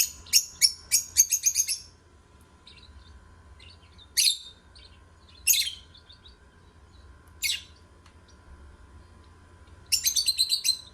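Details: Singing lovebirds give rapid runs of shrill, high chirps, with loud bursts at the start, around four, five and a half, seven and a half and ten seconds, and quieter twitters between over a faint low hum.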